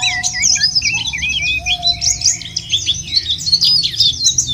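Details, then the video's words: White-eye song played to spur caged white-eyes into singing: a dense, rapid, high warble of slurred chirps and twitters, with a thin steady whistle-like tone underneath and a low background hum. "puter ini jangankan pleci burung lain aja pada gacor"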